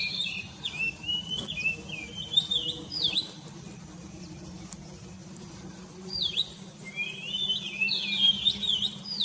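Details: Bird singing in the morning: clear whistled phrases with swooping rising and falling notes, given in two bursts separated by a few seconds of quiet, over a low steady hum.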